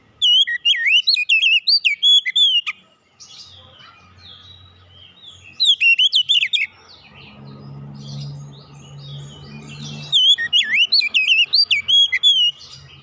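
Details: Oriental magpie-robin singing three rapid bursts of clear whistles, swooping slurs and high ticks, roughly 154 notes per minute. Quiet gaps between bursts carry a low hum and faint background rumble.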